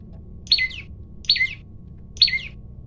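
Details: Olive-backed tailorbird male, vigorous and challenging for a fight: three loud, sharp notes that sweep downward, evenly spaced about 0.85 seconds apart, recorded on a phone with light background hum.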